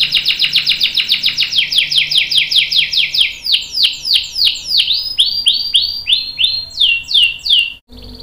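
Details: Canary song for training young and adult birds: a long run of loud downslurred notes repeated about three per second, gradually spacing out before stopping abruptly.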